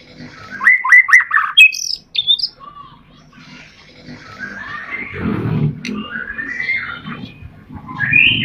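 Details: White-rumped shama song for prompting caged birds to sing: quick downslurred notes, then scattered whistles and drawn-out rising phrases with low background rumble.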